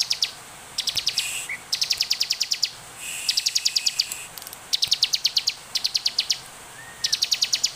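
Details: Lively bar-winged prinia song meant as a lure to set other ciblek singing: repeated runs of quick, sharp, high clicking notes, each run lasting about a second, alternating with brief gaps.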